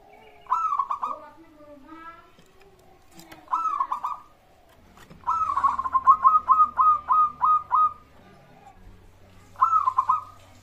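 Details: Local zebra dove singing, a lure to make other birds respond: rolling coo phrases, including a long string of about nine evenly spaced, pulsed notes, over faint low hum.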